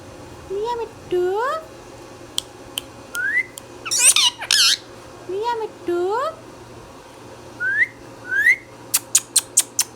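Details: Pet Indian ringneck parrot (rose-ringed parakeet) talking indoors: rising, ladder-like voiced notes sweeping upward, loud harsh squawk bursts near the middle, and a quick series of sharp clicks at the end over a low steady hum.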